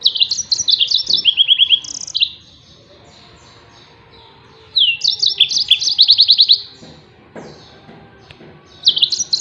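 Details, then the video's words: 'Tembakan' song of a Yellow-fronted canary, used as a master for training songbirds: bursts of fast, high, bright twittering notes and buzzy trills, separated by pauses of a few seconds, with a quiet background. "SUARA TEMBAKAN BURUNG MOZAMBIK"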